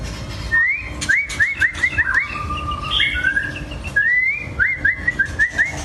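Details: Long-tailed white-rumped shama: clear whistled phrases of quick rising slurred notes, repeated in runs, with a steady low hum and some faint clicks underneath.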